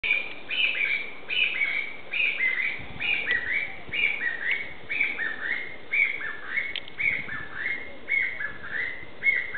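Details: Chinese bamboo partridge calling suddenly at fairly close range in woodland of the eco-garden in Aoba-no-mori Park: loud, ringing, high two-part notes repeated about twice a second in a steady run, over faint hiss.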